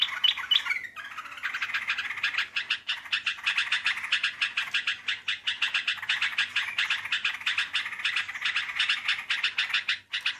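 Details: Sooty-headed bulbul, a luring recording of its melodious voice: a short opening phrase, a pause, then a long, steady stream of quick, evenly pulsed chirpy notes lasting about nine seconds.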